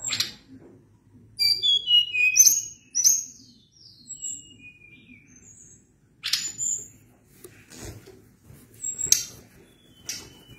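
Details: Sunda blue robin singing vigorously in a long rolling song: scattered high thin whistles, some sliding downward, between short bursts of sharp notes, with pauses and a soft low hum behind.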